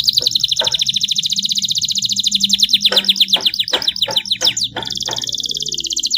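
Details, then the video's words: Long ornate canary training song: a dense, fast high trill runs throughout, broken by harsh broadband clicks, ending in a steady pulsing trill. "MASTERAN KENARI FULL TEMBAKAN PEDES CENGKOK MEWAH DURASI PANJANG"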